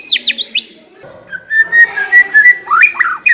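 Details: White-rumped shama song played as a lure to make a shama start singing: quick high chirps, then a sustained run of clear, level whistled notes, ending in rich slurred rising and falling whistles.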